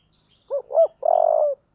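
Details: Spotted dove giving its 'giọng thổ' style coo, meant to provoke fighting: a brief soft coo, a higher rising coo, then one drawn-out vibrating burr lasting half a second, clear and isolated.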